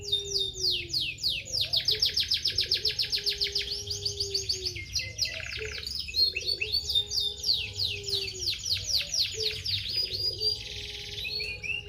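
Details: Canary in full song: loud, rapid rolling trills of sweeping high notes, a steady rhythmic string of fast chirps, with a low, steady tone running underneath.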